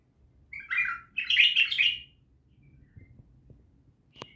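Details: Bulbul from Naft Khaneh singing a short burst of chirpy, warbled notes, then a rich tumbling phrase of bright notes lasting about a second, followed by quiet with a few faint clicks.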